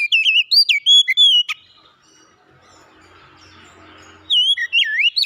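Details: An oriental magpie-robin, called kacer, sings quick, bright whistled phrases with wavering, curling notes, breaks off after a sharp click, goes quiet amid soft background noise, then resumes the looping whistles.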